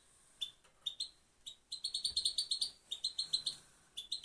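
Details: Female goldfinch gives a few scattered single high chips, then breaks into a fast run of bright, twittering repeated notes, pauses, and resumes with another short burst.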